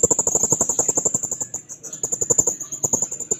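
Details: Blue-crowned hanging parrot singing vigorously while seeking a rival: a continuous, very high, thin, rapidly pulsed trill that holds steady throughout, with sharp ticking clicks beneath.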